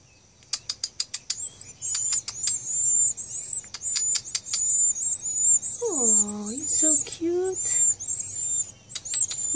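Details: Hungry nestlings in Nashville, Tennessee, waiting for their mother to feed them, give dense, thin, high chirps in rapid overlapping bursts, with a few sharp clicks at the start. A woman speaks briefly partway through.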